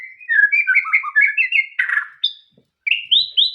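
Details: White-rumped shama song: a run of rapid whistled and warbled notes stepping between mid and high pitch, a brief buzzy burst, a short pause, then rising slurred whistles.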